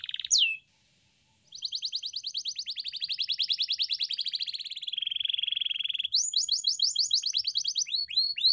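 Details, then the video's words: Canary training song: a single sweeping note, a short pause, then a quick buzzy trill that slows into a steady rolling warble before giving way to sharp repeated downslurred whistles. "Kenari GACOR‼️ (EPISODE 298) Masteran Burung Kenari _ CANARY SINGING__ الكناري"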